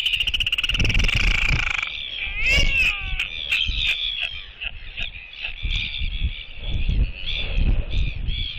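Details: Northern royal albatross mates reuniting at the nest where their egg is incubated, exchanging skycalls that reaffirm their pair bond, nest webcam, 16 December 2023: loud, wailing, rising and falling notes, then rapid rattling, braying calls, with gusty wind throughout.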